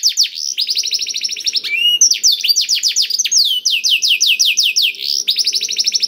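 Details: Black-throated canary song (kenari isian blackthroat), played to lure other canaries into singing: fast series of bright descending whistled sweeps, rolling trills and chattering buzzy bursts, continuous and high-pitched.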